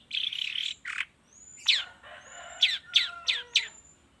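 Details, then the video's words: Long-tailed shrike lure recording used in the morning to prompt shrikes to sing: a buzzy chattering burst, then a rasp, then a run of sharp downslurred notes at a quick uneven pace, with thin high whistles between them. "suara pancingan cendet cendet di pagi hari YANG BIKIN CENDET MACET sekalipun IKUTAN BUNYI toet toet"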